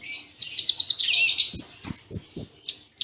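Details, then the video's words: Konin (kolibri ninja) in Cililin tembaan style: a dense high warbling twitter for about a second, then thin repeated whistles with regular low thumps. "Masteran Konin Full Tembaan Cililin Jeda Rapat"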